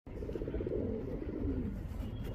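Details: Male pigeon cooing to call a female: a low, rolling, warbled coo that swells and wavers for about two seconds in one continuous phrase.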